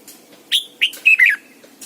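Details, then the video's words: Caged lure Red-whiskered bulbul in morning training song, double-note forest style: a brief phrase of four clear whistled notes, the first long and level, the rest quick and slurred downward. "luyện chào mào mồi hót sáng cực hay, ép chào mào hót âm kép già rừng hay tuyệt!"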